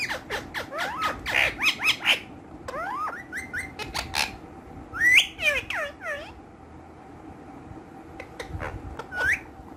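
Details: Pet green ringneck parrots chatter with quick sharp notes, then rising whistled calls and slurred squawks with gaps of quiet, indoors.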